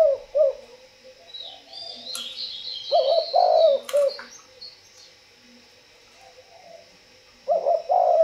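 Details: Spotted dove cooing in soft, low phrases of two or three purring notes, repeated after pauses. Other small birds chirp in the background, along with a couple of sharp clicks.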